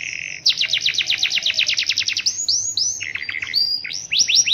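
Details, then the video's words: Canary singing in the rainy season, a long roll: a steady trill, then a fast run of repeated rising sweeps, switching to lower rapid notes and loud upward whistles, with faint low background hum. "TETAP GACOR DI MUSIM HUJAN || NGEROL PANJANG DAN UNIK"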